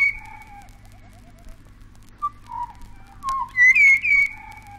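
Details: Pied Butcherbird in Australia, from a 1968 vinyl wildlife recording, singing pure, flute-like whistles, some low and falling, then a run of rich, ringing high notes near the end.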